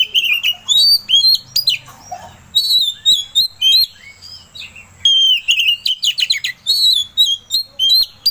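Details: Oriental magpie-robin song played to provoke another bird into singing: nearly continuous loud whistled and chattering phrases, varied and fast, with only brief gaps.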